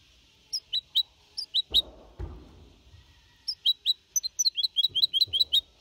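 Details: Young goldfinch hybrid of four and a half months, singing clean in Malaga copy style, 2021: spaced sharp chirps, a pause with two dull knocks, then a faster burst of high repeated notes.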